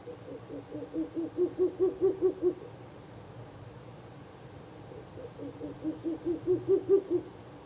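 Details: Night of 16 April 2024 by a nest box, third night of visits: a Ural owl delivers two separate bursts of around seven rapid, low hoots each, with a quiet pause between them.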